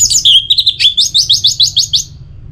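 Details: Orange-headed thrush song used to stimulate singing: a high, bright phrase that opens with a slurred whistle and runs into about ten rapid, evenly spaced chirping notes, fading at the end.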